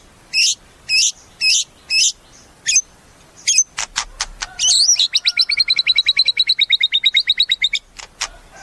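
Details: White-rumped shama giving sharp high notes about every half second, then a long fast trill of buzzy repeated notes lasting several seconds.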